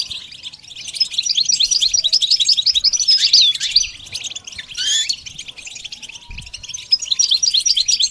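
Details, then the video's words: Goldfinch singing, offered as a model for teaching the bird to sing: rapid high twitters and chattering notes, interrupted by a few sweeping slurred whistles midway, then a return to quick chirping. "The basics of training the goldfinch to sing"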